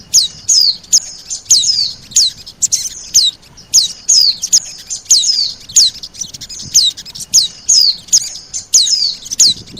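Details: Oriental white-eye calls in a lure mix with sogon, meant to draw birds in: steady series of piercing downslurred whistles, some paired, repeating at a brisk, fairly even pace.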